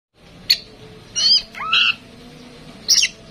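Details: Tame female oriental magpie-robin kept as a cage bird, singing to prompt other birds: a few scattered, sharp whistled notes and short slurred phrases separated by pauses, with a faint low hum behind.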